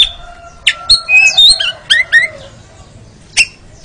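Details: Oriental magpie-robin (kacer), played as therapy for caged birds to sing ngeriwik: a few short whistled and slurred notes, spaced and varied, with a faint steady hum behind.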